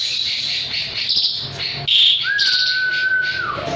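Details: Jalak suren, an Asian pied starling in song. A hissing, chattering passage gives way to a long, level, pure whistle that drops at its end.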